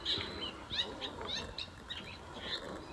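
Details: Long-tailed shrike in a wetland that was quiet before, singing a mimicry song that imitates other birds: a busy jumble of short chirps, slurred whistles and scratchy notes, tightly packed and varied, with faint background hiss.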